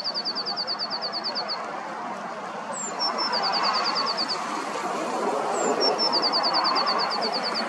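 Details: Eurasian blue tit by a river early in the morning on 6 April 2023: a high, thin note or two, then a fast, even trill of sharp repeated notes, three times over, with steady rushing water-like background.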